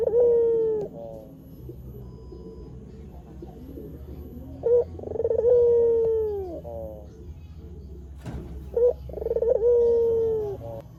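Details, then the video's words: White Barbary dove recorded as a lure for trapping wild doves and for training other birds. Two long, smooth coos fall gently in pitch, each opened by a short rolling stutter, with quiet gaps and faint background hum between them. "Suara Burung Puter Gacor TOP Untuk Masteran Dan Pikat Langsung Nyaut"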